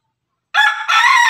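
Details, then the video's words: A Pelung or Ketawa chicken, from Indonesian crowing breeds kept together, gives a short, loud, rich-toned crow segment. It dips briefly, then swells again and holds strongly to the end. "ayam pelung ayam ketawa bersama"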